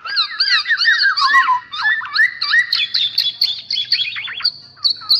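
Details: A trapping lure recording of the Black-naped oriole: a dense stream of warbled, looping whistles that swing up and down in fast succession, with sharp higher notes over them.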